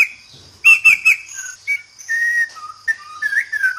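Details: White-rumped shama, locally called Murai Batu, from Sabah, Borneo: a string of clear whistled notes shifting in pitch, with a quick trilled burst early on, then slurred, falling whistles, over a steady faint high buzzing background.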